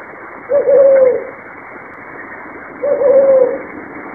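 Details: Two deep, booming hoots from a brown fish owl, each close to a second long with a soft falling end, about two and a half seconds apart, over faint background hiss.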